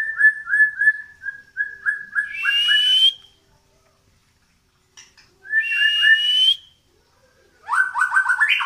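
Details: Medan white-rumped shama in tail-pushing display, singing constantly: a string of repeated short whistled notes, a rising whistle over harsh hiss, a repeat of that phrase, then rapid buzzy stepped notes.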